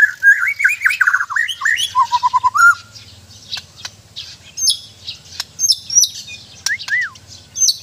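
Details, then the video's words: Murai batu from Borneo, a white-rumped shama being trained, opening with a rapid rolling run of descending whistled notes. Sparse high sharp chirps and a looping whistle follow. "Indahnya suara dan gaya burung murai batu"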